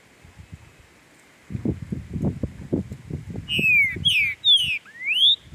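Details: Green-winged saltator (Saltator similis), a Brazilian territorial songbird, in the woods in tournament and breeding season: rhythmic low thudding footsteps, then a series of loud whistled notes, mostly falling, ending with a rising slur.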